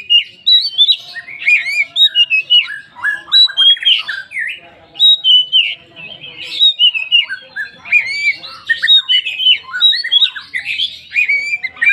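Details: Oriental magpie-robin singing as a lure for other magpie-robins: rich, rambling medley of whistles, rising and falling slurs and scratchy chatter, delivered almost without pause, dense and energetic throughout.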